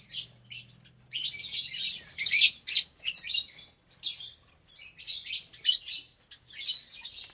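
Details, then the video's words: Lovebirds of mixed colour mutations (parblue, euwing, opaline, lutino, albino), around 25 in one breeding aviary cage, at meal time: bursts of shrill, harsh chattering chirps overlapping, separated by short pauses, with a faint low hum early on. "Lovebird Meal Time"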